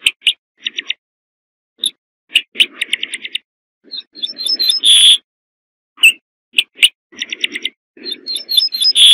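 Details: Repeated phrases from a corn bunting, each built from rapid clicking notes that accelerate into a glassy jangle and finish on a held high note; the pattern repeats twice in quick succession.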